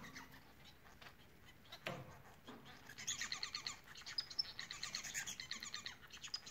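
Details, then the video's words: Bengalese finches sing a soft series of rapid, scratchy high notes and faint whistles in the second half, heard through steady background hiss after a thud. "Bengal ispinozu ötüşü Bengalese Finches society singing"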